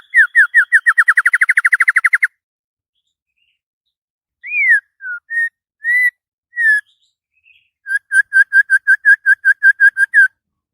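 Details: Morning song of a white-rumped shama, excited and singing freely: a fast train of clear whistled notes repeated about eight times a second, then a few separate slurred whistles, then another quick repeated series.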